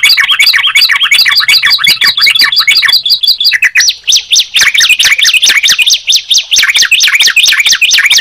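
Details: Yellow-vented bulbul and Sunda pied chat mixed: a quick chattering of paired notes at first, then a shift to higher, looping whistled phrases repeated rapidly.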